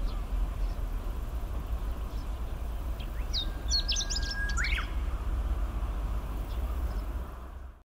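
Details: Chestnut-eared bunting (Emberiza fucata) gives one brief, rapid song phrase of high chips and twitters over a steady low rumble of wind or distant traffic; recorded 10 July 2019, Hanaizumi, Iwate, Japan.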